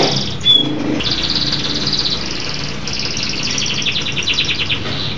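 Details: A local canary sings vigorously, a little distant, in chains of fast rattling trills and rolls. A low background rumble runs throughout.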